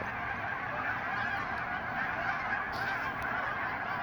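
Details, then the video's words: A flock of hundreds of geese calling together, a dense, continuous wall of overlapping honks with no gaps, steady in loudness throughout. "Hundreds of geese. Focus is bad but sound is incredible."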